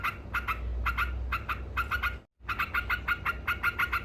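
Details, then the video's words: Yellow-vented bulbul (trucuk) chattering its 'ngekek' song to provoke rivals: rapid rasping 'kek' notes in pairs, broken by a sudden brief silence midway before the cackling resumes, low hum underneath. "Suara Burung Trucuk Ngekek Gacor Istimewa Bikin Emosi Lawan"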